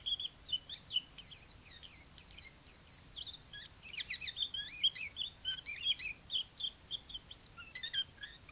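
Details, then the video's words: Chinese white-eye delivering a long, fast, jumbled warble of high chirps and slurred whistles, nearly unbroken, over faint steady background noise. "white eye singing"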